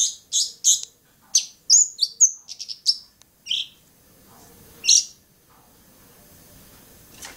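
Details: Singing Long-tailed shrike from Bobotsari: three seconds of high chips, whistles and buzzy notes, then near quiet with one loud isolated note and faint hiss.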